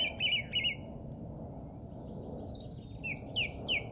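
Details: Wild birdsong at an English golf course, Easter Saturday 2007: two quick chirped whistles open, a quieter high warble follows, then three clear falling whistled notes about a third of a second apart, with constant low background rumble.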